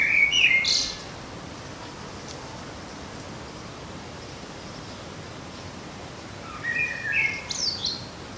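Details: A common blackbird sings in a garden: two mellow, fluty warbled phrases about six seconds apart, each ending in a thin, high twitter, over a steady low background hiss.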